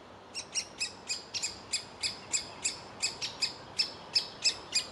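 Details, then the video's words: Nestling woodpecker in its tree hole calling to be fed, its parents wanting it out of the nest: a run of about thirteen high, sharp chirps at an even quick pace. "Ein junger Specht will seine Höhle nicht verlassen"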